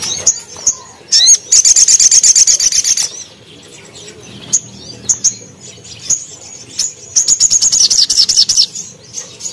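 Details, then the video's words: Crimson sunbird singing in gacor style with sharp 'tembakan' bursts, a training recording for cage birds; very high, rapid buzzy trills of even notes in two long bursts, separated by brief thin chips. "SOGON GACOR TEMBAKAN TAJAM"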